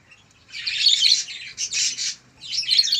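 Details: One-month-old local canary chick giving harsh, noisy chirps in three rough bursts, with brief gaps between them.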